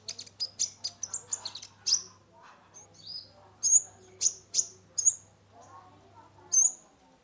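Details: Sunbird (kolibri ninja) in full song, used as therapy for a stressed caged bird: quick run of thin, high chirps, then spaced bright whistled notes at irregular intervals over a faint hum.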